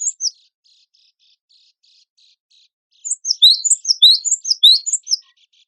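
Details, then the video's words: Cinereous tit of the gelatik batu wingko type, sung as contest training material. A couple of sharp chirps open it, then soft twitters, then a dense two-second flurry of high, slurred chirps. "MASTERAN GELATIK BATU WINGKO GACOR FULL MATERI ISIAN KOMPILASI SUARA BURUNG LOMBA"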